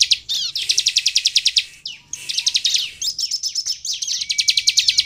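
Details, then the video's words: Sunda bush warbler (ciblek) song meant to lure other birds to sing: long rapid rattling series of high chirps broken by swooping slurred notes and a drawn-out whistle near the end. "SUARA CIBLEK GACOR INI AMPUH MEMANCING CIBLEK LAIN LANGSUNG BUNYI DAN GACOR"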